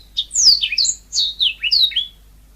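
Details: Yellow-fronted canary singing in a natural, energetic way: a few clear, high whistled notes sliding steeply downward, spaced roughly a third of a second apart.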